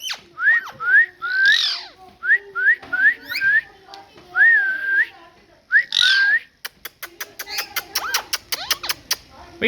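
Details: Parrot, billed as talking, repeats short upslurred whistles in quick series broken by harsh squawks, finishing with a burst of dry clicks.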